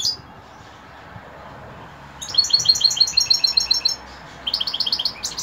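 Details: European goldfinch singing in the evening: after about two seconds of near-quiet, a rapid run of high, tinkling twittered notes starts, pauses briefly, then resumes with more quick bright chirps.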